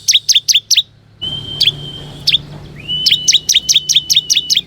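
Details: Ciblek kristal used as a lure to draw wild ciblek: series of sharp, descending chirps near 3–6k, interspersed with long thin level whistles, notes repeated about two per second.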